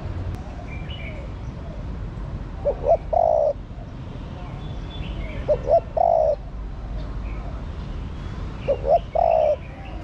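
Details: Female spotted dove calling to stimulate the male, three phrases about three seconds apart, each two quick rising notes then a held mellow coo, set against a noisy background with scattered faint bird chirps.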